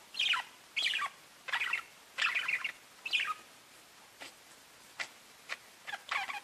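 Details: Parakeets chirping to each other: distinct scratchy, downward-sliding chirps about every three-quarters of a second, then softer short clicks and chirps.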